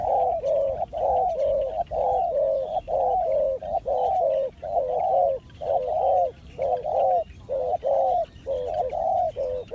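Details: Spotted dove calling in a lure-trapping setting, a steady series of soft, low, hollow cooing phrases repeated roughly once a second for the whole stretch, each phrase a doubled hoot, with faint rural background.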